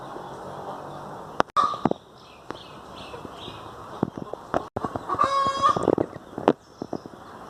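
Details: Domestic hen giving a single nasal, drawn-out call midway, set among scattered knocks and clatter in an otherwise quiet yard.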